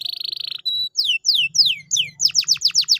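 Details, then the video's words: Singing canary as a lure for a silent bird: a fast trill, a brief pure note, then several slow falling whistled sweeps and a quick series of descending notes over a faint low hum. "pancingan kenari malas bunyi/agar gacor lagi"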